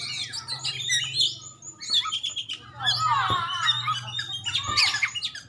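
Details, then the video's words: Champion Oriental magpie-robin from Aceh singing in bursts of loud, varied whistles and rapid chattering phrases with pauses between, over a steady low hum. "Cari setingan Kacer juara"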